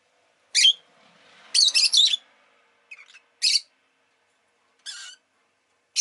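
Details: Rosy-faced lovebird, a pet bird, with a series of shrill, buzzy chirps: a single note, a quick run of three, then spaced single notes, against a quiet background.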